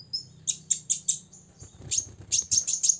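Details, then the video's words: Six-year-old olive-backed sunbird singing energetically to provoke rivals: high, bright chirps at about two-tenths-second intervals, then a brief pause and a denser run of sharp tweets, with faint low hum beneath. "kolibri ninja ngobra 100% bikin lawan EMOSI"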